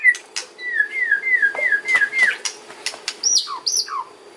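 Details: Song of a white-rumped shama, used as a lure for other birds: a string of about seven matching down-slurred whistles, delivered rapidly, then a few higher, ringing notes that each drop sharply in pitch.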